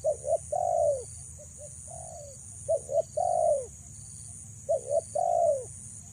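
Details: Repeated low coo phrases from a female spotted dove luring males: paired short notes, then a longer dropping coo, with softer interjected coos between phrases and continuous high hiss.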